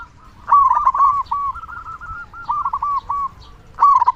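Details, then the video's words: Local zebra dove, a loud, big-voiced singer, used to prompt other doves to sing. A low cooing phrase of rapid stuttering notes runs for about three seconds, followed by a brief pause, then a new phrase begins. Faint low background rumble. "Perkutut Lokal Gacor Suara Besar Pancingan Burung Perkutut Agar Cepat Bunyi"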